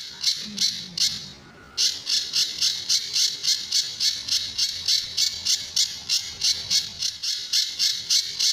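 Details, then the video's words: Sunda bush warbler, a master recording for training other birds, with its characteristic tembakan and besetan sounds. Harsh, scratchy bursts repeat about three times a second, broken by a short pause and a faint low tone. "Burung Pijantur Gacor"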